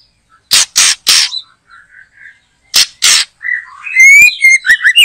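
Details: Loud white-rumped shama at a backyard trapping site behind a house: three harsh bursts, quiet whistles, two more bursts, then a fast burst of clear slurred whistled phrases.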